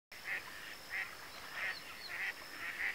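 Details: Adult male Pin-tailed sandgrouse, a vagrant far from its usual inland steppe habitat, at Tancat de Milia reserve, Sollana, l'Albufera, Spain, in late spring, 1 June 2013. It gives nasal, throaty calls repeated about every half second over a steady hiss.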